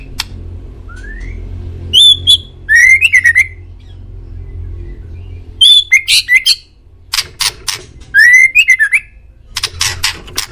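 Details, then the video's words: White-rumped shama song used as a master recording to make pet birds answer: loud, clear whistled phrases with rising slurs and sharp high notes, separated by pauses, over a low background hum. "MASTERAN MURAI DI JAMIN BURUNG ANDA LANGSUNG NYAUT"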